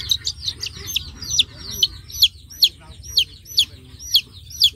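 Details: Baby chicks on a chicken farm peeping: high, sharp, downward-sliding peeps, repeated steadily about every half second, with other chicks peeping softly in the background.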